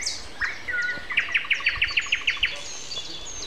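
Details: Nightingale in a morning concert on April 29 at 7:55; a brief whistle leads into a rhythmic run of about ten sharp, evenly spaced repeated notes, with faint background birdsong.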